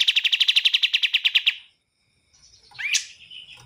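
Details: Bar-winged prinia giving a quick trill of about sixteen evenly spaced chipping notes over a second and a half, followed by silence and then a faint swept note against low background noise.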